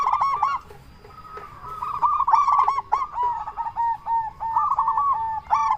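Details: Loud local zebra dove calling, meant to draw replies from other zebra doves: dense run of quick cooing notes, stuttering and overlapping, with short trilled bursts and a quieter pause early on.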